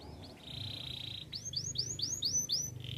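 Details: Canary singing for training: a sustained flat whistled note, then a string of about six rising-falling chirps, over a low background hum.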